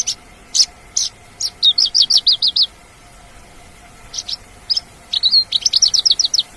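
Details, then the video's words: High-pitched song of a wild Javan bush lark: isolated sharp notes leading into rapid strings of bright chirps, a pause, then another fast run of clipped whistled notes. "Burung Branjangan Liar"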